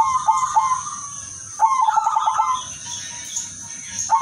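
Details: Udanmas silver zebra dove giving its melodious luring song for other zebra doves: a short fluttering coo at the start, a longer rapid pulsed phrase around the middle, quieter level tones after, and a new coo at the end.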